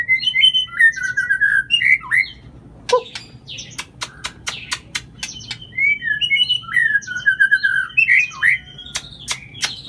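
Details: Song of an oriental magpie-robin meant to coax a silent bird into song: whistled slurs and warbles alternating with loud dry clicks in quick succession, then a long sustained whistle leading into more slurred phrases.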